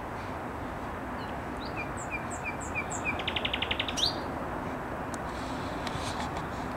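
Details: Thrush nightingale phrase from Skarszewski Park, 7 May 2021: spaced high whistles give way to a fast, even rattle of a dozen clipped notes, then an upward flick, with steady low background hum throughout.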